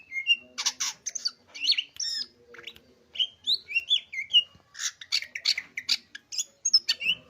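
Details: Leafbird (cak ijo) in full song: a fast, varied stream of high chirps, sharp clicks and twisting whistled notes, rapidly changing phrases with brief gaps, very clean background.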